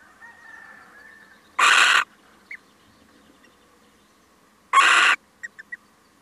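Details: Male little owl on a short visit gives two coarse, broadband screeches some three seconds apart, with a few tiny, soft chip-like notes after the second.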